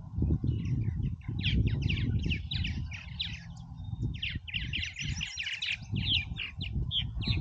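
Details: Purple martins busy at a colony in Oak Harbor, Ohio: a dense stream of short, high chirps and gurgling notes from many birds at once, over a steady low rumble of wind or traffic.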